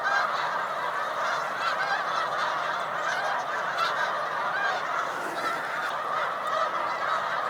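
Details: Spring migration rest stop on Cayuga Lake, New York, 20 March 2021, where rafts of Snow Geese of white and blue morphs gather: an unbroken roar of countless overlapping honks at an even level throughout.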